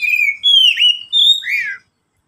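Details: Caged oriental magpie-robin singing as a lure to get silent pet birds singing: a few loud, clear, sustained whistles, one dipping in the middle, closing with a quick downward slurred phrase.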